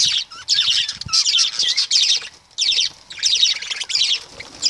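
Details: Flock of lovebirds giving bursts of sharp, rasping high-pitched chirps in clusters of about half a second, separated by short quiet gaps.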